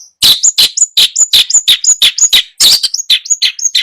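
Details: Long-tailed shrike song used to prompt a silent bird to sing: rapid alternation of harsh rasping notes and thin high whistled slurs, repeated about three times a second.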